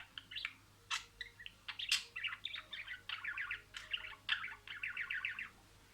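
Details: Caged budgerigar mimicking speech, soft warbling phrases and bursts of fast repeated trilled notes, with brief chirps and a steady faint hum in the background.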